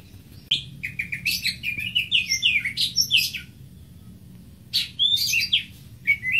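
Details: Greater green leafbird singing a rapid medley of high whistles, chirps and slides. A brief gap follows, then a second burst of varied notes closes with soft rising chirps.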